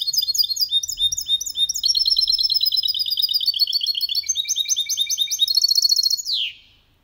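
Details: Goldfinch × canary hybrid singing a clean song without errors, used to stimulate males to sing and teach young birds; rapid high trills of repeated notes shifting through several phrases, ending in a falling sweep.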